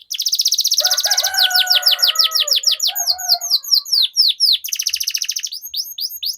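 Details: Rolling canary song meant as a tutor for young or silent birds: a rapid high roll, then loud descending sweeps over a softer, lower sustained whistle, with fast trills returning toward the end.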